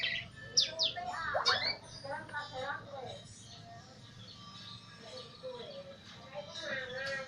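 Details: Pet greater green leafbird, kept in a cage, now singing frequently: a burst of bright slurred whistles and sweeping notes early on, then quieter, scattered warbling phrases over low background noise.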